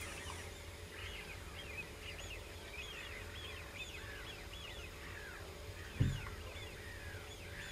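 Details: Several common cranes calling together: a dense run of arched, bouncing notes repeated rapidly for several seconds, with a single sharp knock near the end and a low constant hum beneath.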